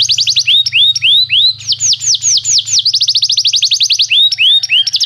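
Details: Song-training recording of a canary: loud, varied song mixing slower, swooping arched notes with rapid high trills, the phrases switching between sweeping and rattling sections over about five seconds.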